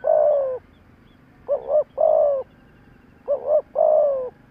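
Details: Decoy spotted dove calling to provoke wild doves: a long falling coo, then two more phrases of a wavering double note plus a drawn-out low coo, roughly two seconds apart.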